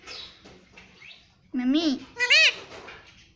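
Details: Parrot mimicking "mummy": soft murmuring at first, then two loud harmonic syllables, the first low and level, the second higher with a rising-falling bend.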